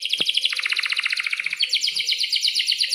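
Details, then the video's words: Singing canary from a training compilation for young birds learning song, pouring out a long dense rolled trill of rapid repeated notes with scarcely a break, a single click heard near the start. "kenari gacor panjang buat pancingan kenari paud belajar bunyi agar NYAUT"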